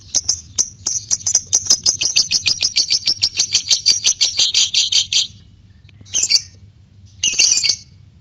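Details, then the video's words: Lovebird with a white beak giving a long ngekek trill: a sustained, high, rattling chatter of rapid notes lasting about five seconds, followed by two short high bursts after pauses, with a faint low hum in the background. "LOVE BIRD ngekek panjang (Paruh Putih)"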